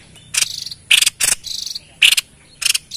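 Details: A vocal White-chested babbler, meant to lure wild birds: loud harsh bursts, some doubled, with a sharp bright accent within several, packed closely over a few seconds.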